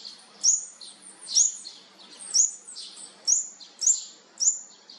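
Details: Olive-backed sunbird chicks, fourth brood, during feeding: short, very high, squeaky chirps repeated about every second in a loose rhythm.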